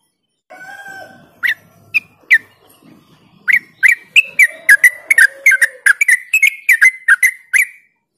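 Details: Yellow-vented bulbul song for luring other birds to sing: after a low hum at the start, sparse whistled notes build into a dense, rapid series of bubbly up-and-down chirps.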